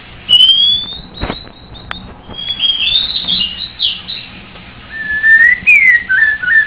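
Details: White-rumped shama singing a long rising whistle, a sharp click, then varied warbling phrases and a closing run of clear sliding whistles.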